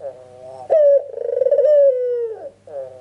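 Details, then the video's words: Ringneck dove (puter) call played as a lure to make other birds answer: a low coo starting abruptly, with a rolling, pulsing first part that smooths into a long, slightly falling hum-like note of nearly two seconds, over a steady low background drone. "PANCINGAN TERCEPAT BURUNG PUTER FULL GACOR"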